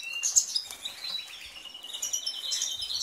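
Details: European goldfinch twittering fast, with bright high chirps and sliding notes run together into a busy warble, a steady thin tone underneath.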